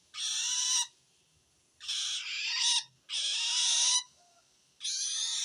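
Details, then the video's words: Long-tailed shrike calling to wild shrikes, a sound said to show it feels threatened by another shrike: four harsh, rasping, noisy screeches, each under a second, spaced about a second apart. "suara aneh burung cendet"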